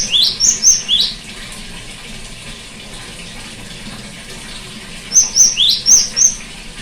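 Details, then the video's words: Cinereous tit singing, played to a bird that has gone silent: about five quick high whistles, a long hissy pause of several seconds, then another series of five flat and rising notes. "terapi gelatik batu macet bunyi"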